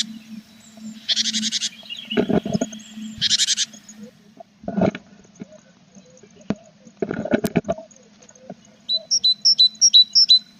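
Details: Nest box of tits on 21 April, mother with chicks: two bursts of buzzy rasping, heavy thumps and rustles inside the box, then a quick string of about six clear two-part high notes at the end.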